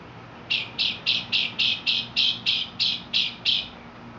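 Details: Mexican mockingbird repeating a harsh, raspy, high note about eleven times in a steady series, roughly three per second.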